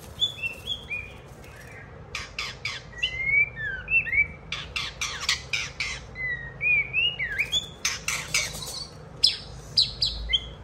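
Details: Pet white-rumped shama singing while a child plays and it pecks a hand; rapid rising and falling whistles between loud dry clicks, with people speaking nearby.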